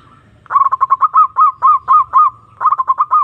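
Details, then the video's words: Zebra dove calling a rival: a fast rattle of short coos slowing into evenly spaced, longer hooked notes, about four per second, then a new quick phrase starts; quiet background. "Pancingan Perkutut Memanggil Lawan Manjur Langsung Nyaut"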